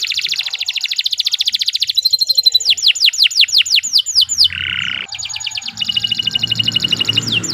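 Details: Long, unbroken canary song meant for tutoring other birds. It opens with a dense high trill, then speeds into repeated falling whistled sweeps. A short raspy buzz and more sweeping trills follow, over a faint low background drone.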